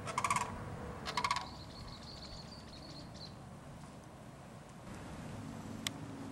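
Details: Sandhill crane at Winding Waters Natural Area, West Palm Beach, Florida, giving two short rattling bursts at the start, followed by a thin, high whistled note from another bird and then quiet outdoor ambience.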